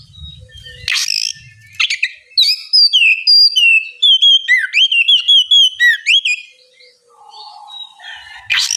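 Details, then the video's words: Oriental magpie-robin ngeplong song used to spur a reluctant bird into singing: a few harsh bursts, then a long rapid series of clear whistles sliding downward and upward, ending in another rough burst. "terapi kacer ngeplong santai, pancingankacer bahan malas bunyi supaya cepat nyaut gacor"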